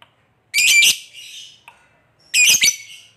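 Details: Lovebird calling to companions so other lovebirds answer, a harsh 'koek' type call: two loud, raspy squawking bursts about two seconds apart, each with a fainter trailing rasp, in a quiet setting.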